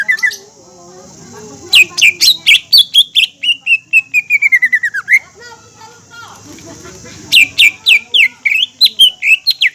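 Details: Green leafbird in full song, played to stir other leafbirds to respond: quick high chattering notes flowing into a long sliding, falling whistled trill, a quiet gap with low background murmur, then more rapid chirps.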